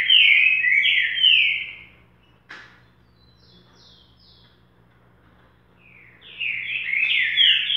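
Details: Boca mole style song of a green-winged saltator: rich slurred whistles at the start and end, separated by several seconds of near silence with a single sharp click and faint high notes.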